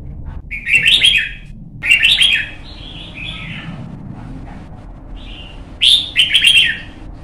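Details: Young red-whiskered bulbul practising song for singing contests: three loud bursts of harsh warbled notes, each followed by softer short whistled phrases, separated by brief pauses, against a quiet low background hum.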